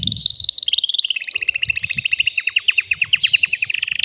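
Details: Caged male canary singing to excite a female for mating: a rapid run of high clipped notes descending slightly, then a steady series of sharp repeated chirps, about eight per second, with faint low background rumble.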